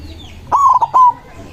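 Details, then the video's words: Single loud phrase from a white zebra dove singing to call rivals: a rapid triple stutter followed by a smooth, sustained coo. "Perkutut putih gacor suara besar ampuh memanggil lawan bunyi emosi manggung"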